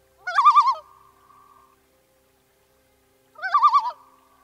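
A Common Loon gives two quavering, laugh-like calls about three seconds apart, each a rapid wavering note that trails off into a short steady tone.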